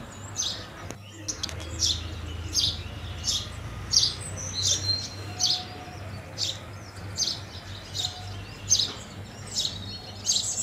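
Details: House sparrow chirping steadily, sharp clipped notes at a fairly even pace over a low background hum, with a brief thump near the start.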